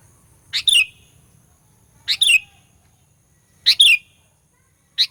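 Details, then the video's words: Sooty-headed bulbul lure for provoking rival birds: short two-part notes, a harsh burst then a falling whistle, repeated about every one and a half seconds, four times. "Burung Kutilang Pikat Gacor Fighter, Paling Jago Mendongkrak EMOSI Kutilang LAWAN"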